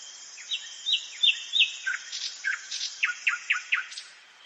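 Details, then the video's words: Nocturnal forest song of a common nightingale, a trill of brisk repeated downslurred whistles and sharp chips, roughly three notes a second, over a constant background hiss. "СОЛОВЕЙ. НОЧНОЕ ПЕНИЕ СОЛОВЬЯ В ЛЕСУ."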